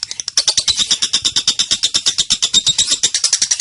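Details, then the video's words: Female lovebird in a continuous ngekek, a rapid, steady stream of harsh ticking pulses, roughly three per second and even throughout, recorded as a lure for training other birds to sing. "Suara Burung LOve Bird Betina Balibu Kusumo Ngetik Konslet Ngekek Pancingan Masteran Panjang"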